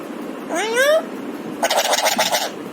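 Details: A talking pet parrot gives a rising whistled note, then a harsh rapid rasping phrase in a small quiet room.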